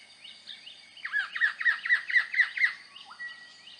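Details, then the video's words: Buff-breasted paradise kingfisher, an elusive migrant, calling at the nest while feeding: a rapid series of about eight sharp, descending whistled notes near the same pitch, a quick trill lasting under two seconds, followed by a lone lower note. "Buff-breasted Paradise Kingfisher in [HD] - calling and feeding at the nest"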